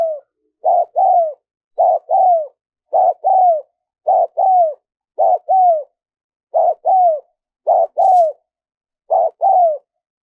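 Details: Steady cooing of a spotted dove, used as a lure to draw in wild doves: nine two-part phrases, a short coo followed by a longer falling coo, about once a second, with one faint click.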